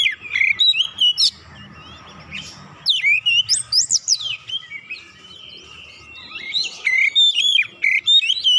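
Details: Lure recording of Oriental magpie-robin song, aimed at getting quiet birds to sing: fast bursts of varied whistles and steep slurred sweeps, a softer sustained passage midway, then more rapid chirping phrases.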